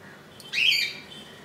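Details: Single rasping squawk of about half a second, from a budgerigar nest holding an inch-long chick hatched at 2 AM on 15 July 2018, recorded on its second day indoors.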